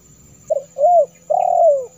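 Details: Wild-dove lure of spotted dove calls: one short note, a rising-falling coo, then a long sliding coo that drops in pitch, soft and clear with little background sound.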